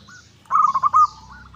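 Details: Local zebra dove cooing as a lure to get an opponent to reply. A fast series of soft pulsed coos runs into one longer held note, with faint higher bird chirps behind it.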